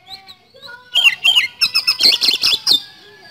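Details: White-rumped shama, a short, loud burst of fast scratchy chips and twisted whistles over a faint sustained tone.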